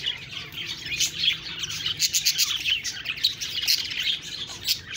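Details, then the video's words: Budgies chirping together, a rapid, high twittering babble of raspy squeaks and clicking notes, continuous and fairly even in volume across the whole stretch. "Budgies Birds talking sound Birds chirping sounds"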